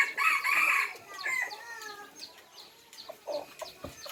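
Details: F3-line red junglefowl: a loud hoarse crow in the first second, followed by a fainter trailing crow and a steady background of small birds twittering.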